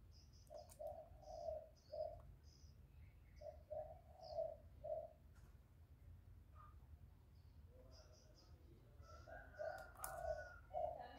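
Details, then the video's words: Spotted dove, recorded directly with a loud voice: soft, low hollow coos in three-note phrases, two phrases early and another near the end, over a faint hiss with scattered high chirps in the background. "Tiếng chim cu gáy lớn giọng, cu gáy file dễ mở, cu gáy gù, cu gáy thúc, cu gáy chiêu, gáy gọi,cu đất"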